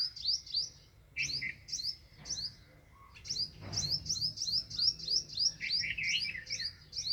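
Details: Chira sparrow calling in a fast run of high, clipped chirps that speed up into a near-continuous chattering series toward the end, with a faint low thump in the background.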